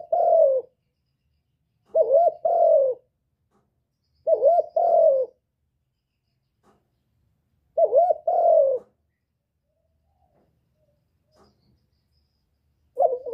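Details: Spotted dove calling to stimulate birds: phrases of a short warbled coo joined to a longer falling coo, repeated roughly every two to four seconds, five phrases in all, with silent gaps between and no background noise.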